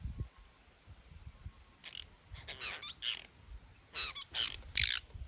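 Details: Apostlebirds (Struthidea cinerea), a group in the Northern Territory, Australia: harsh, scratchy, grating calls in short noisy bursts, several in quick succession, over low rumbling background noise.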